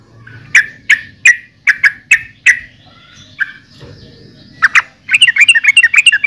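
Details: Yellow-vented bulbul (trucukan): a slow series of separate sharp chirps about twice a second, a pause, then a fast bubbling burst of notes at the end.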